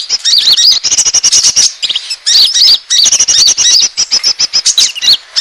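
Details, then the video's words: Lure call of Asian glossy starling for attracting birds: continuous run of shrill squeaks and quick slurred whistles, clipped notes packed closely, pausing briefly near the middle before resuming. "suara pikat burung konin ampuh"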